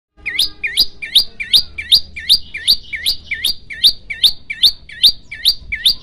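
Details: Prinia, called prenjak lumut, singing actively in a varied 'tembakan' style: a fast series of sharp, hooked, upward-flicking chirps repeated about two and a half times per second, steady and high-pitched, with faint low background rumble.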